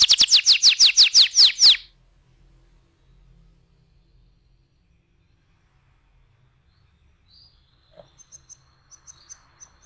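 A canary gives a quick burst of about ten loud, high, sweeping notes in under two seconds. Quiet follows, with faint high chirps near the end.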